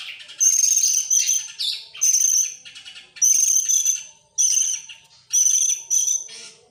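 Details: Oriental magpie-robin, excited and opening its tail, singing in bursts of about half a second to a second: bright high whistles over dense rattling, rapid notes, separated by short quieter pauses.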